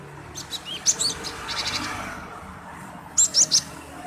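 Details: Lively male cinereous tit, used to provoke other birds into song: a few sharp high chirps early on, a soft buzzy stretch, then three quick bright whistled chirps near the end.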